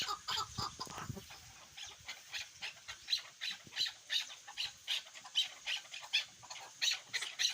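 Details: Partridge of the chukar kind, known as a hunting partridge, giving spaced sharp clucks a little over one per second after a brief noisy start.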